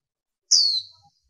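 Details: Female warbling white-eye giving a single thin, high whistle that slides downward, about a third of a second long, in silence.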